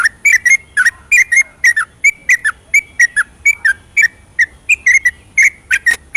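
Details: Yellow-vented bulbul in full song at night, a long rapid ropelan used as a lure to spur silent birds: short bright whistled notes, often doubled, repeated in a steady brisk chatter for six seconds.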